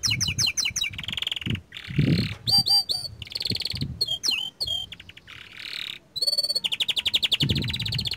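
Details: Young canary singing a varied song of rapid trills, buzzy rolls and repeated sweeping whistled notes, with brief low thumps in the background.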